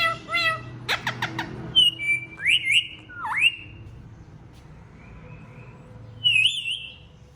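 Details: Pet Indian ringneck parakeets, noted as talkers, utter short chirps and speech-like notes, then upward-sweeping whistles and a long, high, wavering whistle, quiet pauses between.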